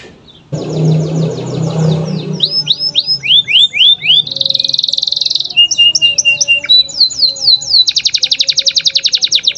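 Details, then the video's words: Canary training song for young canaries: opens with a rough noisy burst, then rapid descending whistled sweeps, a sustained buzzy high tone, and a very fast even trill at the end. "Gacor Ngeroll Nembak Panjang ‼️Cocok Untuk Kenari Muda Agar Rajin Bunyi"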